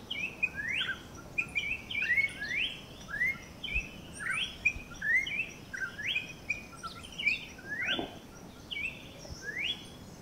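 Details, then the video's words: Campo troupial song: a steady chain of short whistled notes, each with a falling sweep, repeated about once a second amid light environmental noise. "MELODIA INCRÍVEL DO CORRUPIÃO!!!"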